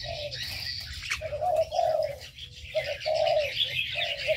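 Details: Caged birds in an aviary: low, mellow hooting notes in short bursts with brief gaps, while high thin chirps and twitters run almost continuously above.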